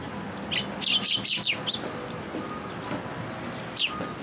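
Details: At a bridge at a Tenmangu shrine, sparrows come for food on 9 October 2022, giving a lively run of six or seven quick, high chirps, then a pause and one last lone tweet over faint ambient noise.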